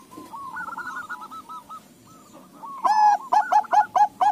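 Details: Bangkok-local crossbred zebra doves all calling in reply: soft trilled cooing from distant birds, then a loud close run of short hooked coo notes repeated roughly twice a second.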